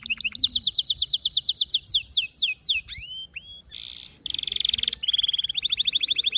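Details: Singing canary: a long run of fast descending chirps, then swooping whistles, a harsh buzzy note, and quick rolling trills repeated many times a second.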